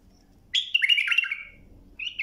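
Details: Bulbul song used as a tutoring recording for teaching young birds to sing: a loud burst of warbled, whistled notes, sliding and wavering, fading out, then a short rising phrase at the end.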